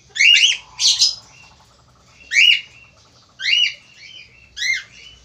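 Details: Loud male Australian finch in strong voice, recorded as a tutor for reluctant singers, calls out five nasal, buzzy chirps in uneven bursts, the first two close together, later ones about a second apart, with quiet soft chatter between.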